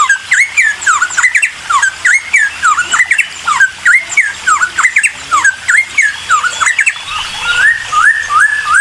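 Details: Bulbul known locally as cucak timor, song used as a lure to provoke a quick response from other birds; loud, rapid run of clear whistled notes sweeping up and down, closely repeated, ending with a few slower rising whistles.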